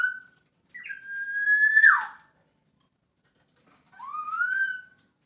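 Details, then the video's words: Masked laughingthrush giving long, drawn-out clear whistles: a sustained level note swelling and then plunging downward, a pause of nearly two seconds, then a slow rising whistle. "Poksay Hongkong gacor full isian dijamin langsung nyaut"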